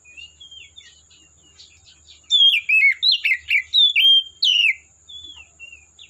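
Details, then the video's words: Oriental magpie-robin in the wild forest: quiet whistles lead into a loud run of about ten sharp, descending slurred whistles and chirps, then soft trailing whistled notes. "Suara Burung Kacer Asli Hutan"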